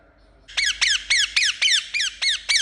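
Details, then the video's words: Indian ringneck parakeet kept as a pet, a burst of eight shrill, downward-sweeping chirps delivered evenly after a half-second of quiet. "Amazing Chirping Sound Of Parrot"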